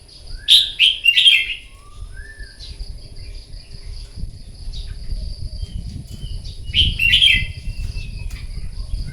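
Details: Red-whiskered bulbul in a morning competitive singing session for voice training: two loud bursts of chattering, whistled notes separated by soft, sliding whistles, with a steady high hiss behind.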